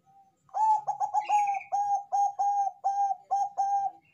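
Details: Bangkok-type zebra dove in full, loud song, meant to draw other doves into singing. It delivers one long phrase of about twelve ringing coos, quick and clustered at first, then steady and evenly paced.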